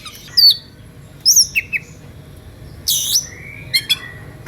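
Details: Oriental magpie-robin giving excited whistles to draw rivals into singing; a few isolated sharp high notes, a harsh burst and a long level whistle, separated by quiet gaps.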